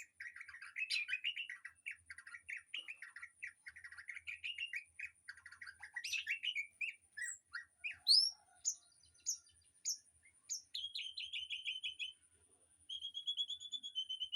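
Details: Aviary birdsong played as master song to train a white-rumped shama: busy low chattering at first, then scattered sharp up-slurred chips and a closing buzzy trill.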